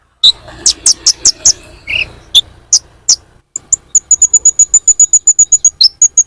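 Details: Sunbird lure call for attracting birds: loud, high-pitched chips, first a few sharp, irregular notes with a short gap, then a fast, steady run of thin ticking notes repeated about two to three times per second.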